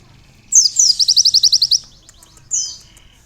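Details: A single canary-learned phrase from a sunbird: two sweeping notes followed by roughly ten rapid, bright, evenly spaced high chirps, a pause, then one more downslurred note.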